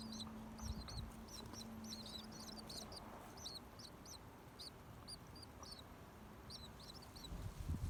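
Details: Nestlings in a nest built in a tree at a home, peeping: thin, high, rapid peep-peep notes in uneven bursts over a steady low hum and background noise.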